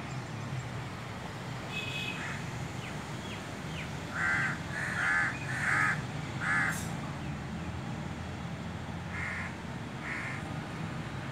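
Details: Several crows calling to each other: a burst of four rasping caws in quick succession, preceded and followed by fainter calls, over a low rumbling background.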